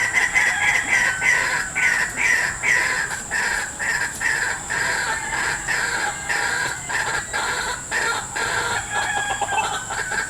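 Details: Harsh, loud, rapidly repeated croaking notes of a white-breasted waterhen coming to a lure at a trap in a salak garden, irregular in rhythm, with a continuous high-pitched insect buzz behind.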